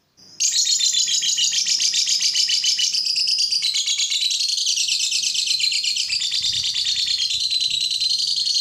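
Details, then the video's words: Lovebird singing, a sound used to make other lovebirds sing: a long unbroken run of rapid, high, buzzy chattering notes that rise and fall slightly, steady and loud after a brief quiet start. "Suara burung lovebird ini ampuh bikin lovebird lain ikut gacor"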